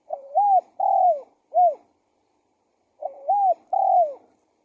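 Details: Spotted dove calling as a decoy for luring wild doves: low mellow coos in a three-note phrase, then after a pause a two-note phrase, clean and quiet background.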